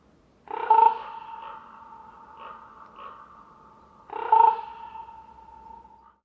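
A common raven gives two loud, ringing calls about three and a half seconds apart, each trailing into a long echoing fade.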